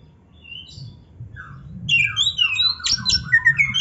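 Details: Oriental magpie-robin singing with varied fill-ins. Thin whistles open the phrase, followed by a sliding downward note, then a loud, fast jumble of clear whistles and rasping notes over low background rumble.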